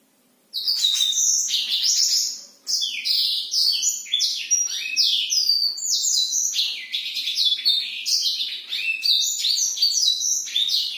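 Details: Black-throated canary in energetic night song, played to stir silent or young birds: a dense stream of fast, high, sliding notes and rattling trills, pausing once briefly before running on without let-up.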